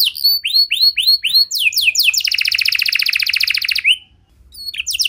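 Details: Canary song used as a lure to get other canaries singing: sweeping downslurred whistles, then a fast buzzy trill of rapid repeated notes lasting nearly two seconds, a brief pause, and more whistles.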